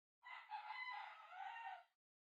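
A rooster gives one hoarse, strained crow lasting under two seconds, rising at the start and holding steady before breaking off. Nothing else is heard.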